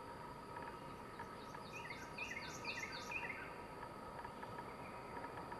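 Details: Wild Swainson's thrush song heard at a distance: a faint series of short whistled notes climbing upward step by step in the middle of the clip, over broad hissing background noise.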